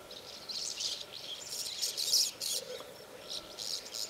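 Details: A flock of spotless starlings feeding in a freshly mown field at Castelo Branco, Portugal, on 20 July 2012 chatters in a dense, hissing wash of overlapping high chirps and creaky notes, rising and falling in rapid bursts without pause.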